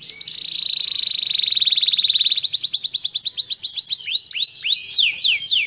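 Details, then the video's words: Atlantic canary song: a fast, buzzy trill held on one pitch for over two seconds, then quicker rising rolled notes, ending in slower, looping whistled swoops. "Solusi Kenari Malas Berbunyi"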